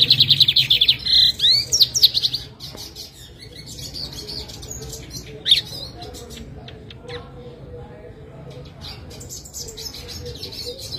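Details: Lined seedeater in a cage in Jataúba, Pernambuco, Brazil, on a November afternoon, being readied for a morning contest. A brisk buzzy phrase with a few upswept notes opens the recording, followed mostly by faint scattered chips and background noise.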